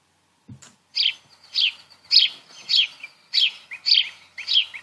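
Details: House sparrow, the bird most heard in parks and gardens, giving a steady series of short, harsh chirps, about seven in five seconds, each a quick descending note, after a brief low thump at the start.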